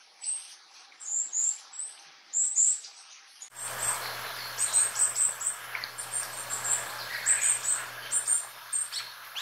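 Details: A varied tit, one of several song and call types, gives thin, high squeaky notes in short bursts about once a second, with a steady low hum and background hiss coming in partway through.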